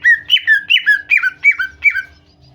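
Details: Up close, a female greater green leafbird repeats bright whistled notes that each fall in pitch, about six in two seconds, slowing and fading at the end. She calls to draw a male into song.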